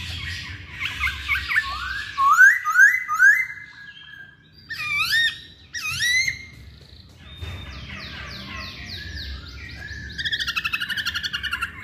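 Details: Hwamei song: varied whistled phrases with rising swoops, loud paired upslurs, pauses, then a rapid rolling series of high notes ending in a fast trill; faint low hum in the background.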